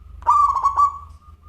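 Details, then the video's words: Local zebra dove in active 'crystal voice' song: one rolling coo of three or four quick pulsed notes running into a fading, sustained hum. A low steady hum sits underneath. "Perkutut Lokal Gacor Suara Kristal"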